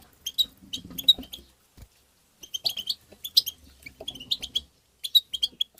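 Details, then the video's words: European goldfinch tabtaba twitter for stimulating goldfinches: groups of quick high chirps and trills in short phrases, a brief pause, then renewed lively twittering with faint low sounds beneath. "ندهات تبتة حسون مقنين بتبتات وتغريد الحسون بتبتة مجنونة"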